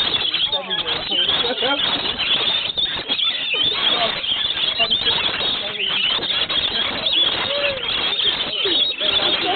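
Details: A crowd of lorikeets being fed at a campsite on Magnetic Island off Australia's east coast, screeching and chattering at once, with harsh shrill calls overlapping without pause and human voices faintly mixed in.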